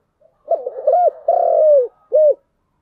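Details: One complete spotted dove phrase in the 'giọng đồng' style: low stuttered coos rise into an arched note, a held descending coo, and a last short rounded coo, in clean silence.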